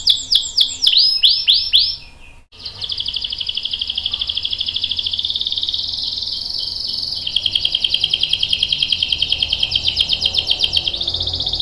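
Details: Canary delivering a long roll meant to prompt other canaries into song: quick descending sweeps, a short pause, then a very long continuous high trill that shifts pitch midway and carries on steadily.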